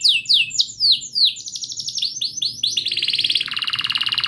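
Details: Canary singing as a lure for a silent canary: loud descending whistled notes about four per second, running into fast chattering notes and ending in a dense, rapid rolling trill.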